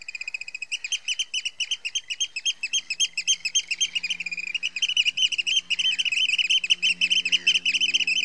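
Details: Eurasian oystercatcher alarm calling at Heybridge Basin, Essex: rapid shrill piping that grows denser and more overlapping toward the end, over a low steady mechanical hum.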